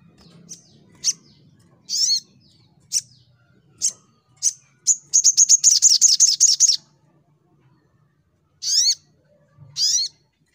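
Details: Full fighter sunbird song: separate high, piercing chips, then a dense, rapid trill of thin notes, then two harsh buzzy bursts after a silent gap, with a faint low hum early on.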